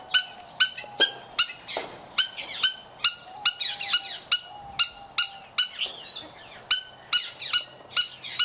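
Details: A male trumpeter hornbill (Bycanistes bucinator) at an aviary in Oregon, USA, gives short, nasal, squeaky notes about twice a second, with fainter bird sounds in the background.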